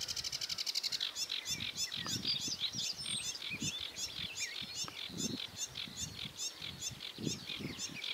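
Sedge warbler: a quick dry ticking run, then a fast, restless chatter of varied scratchy and sweeter notes, with low wind rumble beneath.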